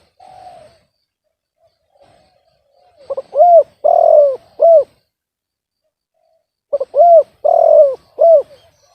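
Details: Spotted dove with an off-key, discordant voice delivering its phrase twice in quiet surroundings: a faint opening note, then stuttering short notes followed by three rich hooting coos, the middle one drawn out, repeated after a pause of about three seconds.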